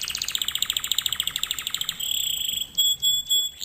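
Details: Canary singing for training other canaries: a fast rhythmic rattle of repeated notes for two seconds, then a thin sustained piping whistle and a couple of soft swelling notes.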